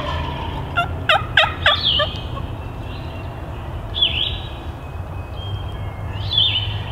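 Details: Wild turkey gobbler approaching a hunter's calls from a long way off: a fast rattling gobble of four rapid pulses near the start, with songbird notes afterward and low background rumble.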